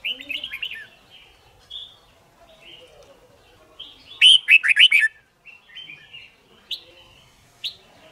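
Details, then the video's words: Red-whiskered bulbul singing for song training and fighting-style competition: scattered soft whistles and chatter, a loud cluster of sharp downslurred notes in the middle, then isolated clear whistles. "Luyện Chim Chào Mào Má Trắng Học Giọng Nhanh. Chào Mào Hót / Chào Mào Hót Đấu/Kích Bổi Hót 15"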